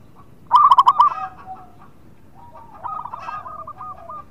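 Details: Local zebra dove singing keenly, meant to stimulate birds that are reluctant to sing: one loud, quick bubbling run of throaty coo notes, followed by fainter, longer cooing from other doves in the background.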